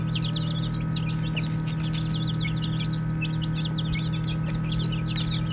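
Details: Playing baby chicks give rapid, dense bursts of high, sliding peeps, several birds calling at once, over a continuous low droning hum.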